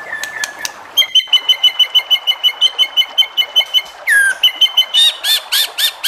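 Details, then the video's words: White-rumped shama song meant to trigger other shamas to sing: a brief whistle, then a long steady series of about twenty sharp, bright repeated notes, a downward-sliding whistle, and a final burst of harsh buzzy notes. "MURAI BATU JENIS APAPUN PASTI NYAUT EMOSI DAN GAK BISU LAGI DENGAN SUARA MURAI BATU INI"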